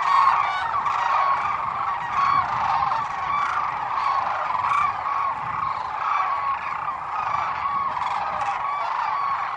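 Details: Thousands of wintering Sandhill Cranes at Whitewater Draw, southeastern Arizona, call together at the morning fly-off after a freezing night that left ice on the pond: rolling, rattling, trumpet-like bugles overlapping into a steady clamor.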